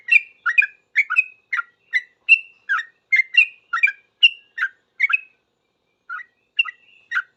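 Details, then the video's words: Sooty-headed bulbul singing rapidly in reply to other bulbuls, a fast run of bubbly two-note chirps for five seconds, a short silence, then a few more notes. "Trucuk gacor paling cepat di respon trucuk lain langsung bunyi ribut ropel"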